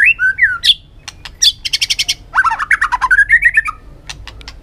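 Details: White-rumped shama singing many forest-style phrases: loud, varied whistled notes rising and falling, then a rapid run of sharp repeated chips, followed by a rolling series of short whistled slurs. Faint low hum underneath.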